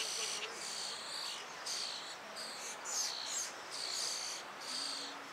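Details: Hungry European starling nestlings calling from a tree cavity as a parent delivers food; scratchy, hissing rasps in short bursts of about half a second, coming in uneven clusters with brief gaps, over faint constant noise.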